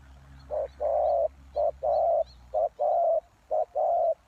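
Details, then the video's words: Spotted dove call used as a lure for wild doves: soft low coos in repeated pairs, a short note followed by a longer drawn-out one, each pair about a second apart, over a faint low hum. "The Cu Gáy Mồi Đất"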